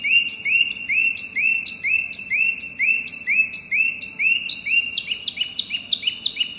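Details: Wambi mini calling as a lure: upswept whistled notes paired with higher chips, repeated roughly twice a second in an even, steady series.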